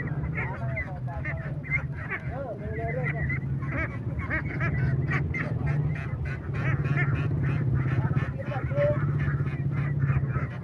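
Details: A flock of young laying ducks keeps up continuous, busy quacking, with rapid overlapping calls four or so a second, some with a rising tone, over a constant low mechanical drone.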